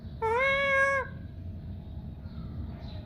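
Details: Talking Pakistani pet parrot giving a single loud, sustained meow-like wail of nearly a second, level then dropping at the end, followed by quiet room hum.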